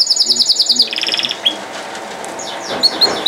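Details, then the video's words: Canary song: a fast pulsing trill drops to a slightly lower rolling trill and a brief whistle, then fades to quieter distant chirps. "Non Stopable Canari Singing | Kanari Sounds | Kanari Voice | Canary Beautiful Voice"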